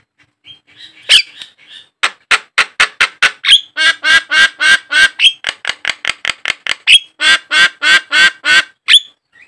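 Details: Javan myna sounds played to make caged mynas call: a long, fast run of loud, grating, squawking notes, about three or four each second, uneven in rhythm and varying slightly in tone.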